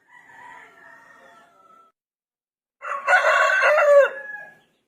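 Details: Rooster crowing: one loud, harsh crow lasting nearly two seconds, rising then falling at the end, after a quieter, drawn-out earlier crow; chicken.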